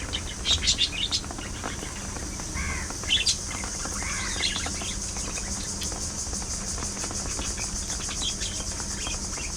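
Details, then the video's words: Budgies chattering and singing among themselves: clear warbled, slightly rising chirps in short runs early on, then softer scattered twitters, with a continuous hiss and faint hum behind. "Budgies Being Budgies: Non-Stop Fun, Fights, Love & Chirpy Chaos!"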